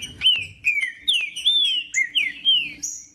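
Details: Green-winged saltator (trinca-ferro) singing: clear whistled phrases of sliding, slurred notes, each dropping then rising, about seven phrases in three seconds, bright and loud against a silent background.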